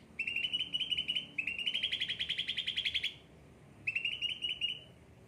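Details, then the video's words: Cucak ranting, a well-tended cage bird in full song: rapid trilled phrases around a steady high pitch, a short burst, a long rattling run, a pause, then another trill. "gacor cucak ranting"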